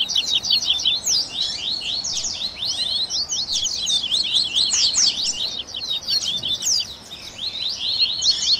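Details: 'Esquenta' warm-up of Double-collared seedeaters used to encourage a caged bird to sing: a continuous tangle of sharp, high, slurred chirps and quick falling notes from several overlapping voices.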